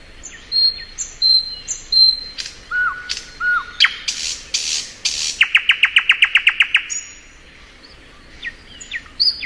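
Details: Varied thrush nightingale song in spring: repeated thin whistles, low looping slurs, loud broadband cracks, then a fast rattling series of about a dozen sharp notes before scattered high upslurs.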